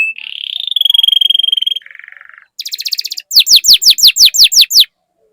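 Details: Singing canary used as a master song to stimulate other canaries: a rising whistle held steady, a low buzzy trill, a fast high trill, then about nine loud falling chirps repeated evenly before stopping.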